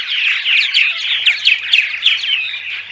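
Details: Several purple martins in daytime chatter, meant to draw migrating martins to nest houses; quick overlapping croaks, gurgles and rising chirps pour out without pause, with a faint low hum underneath.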